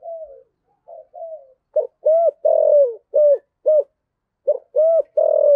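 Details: Spotted dove singing in the deep 'giọng thổ sấm' (thunder-earth voice) style: a few soft, low coos, then a loud run of short, mellow, hollow coos with a falling note, in quick paired groups and nearly no background noise.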